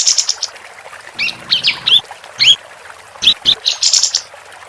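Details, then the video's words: Female capped white-eye singing actively, recorded as a tutor track for contest birds: sharp high chirps and brief upslurred whistles in scattered bursts, with faint low background rumble between notes. "Kapas Tembak Betina Gacor"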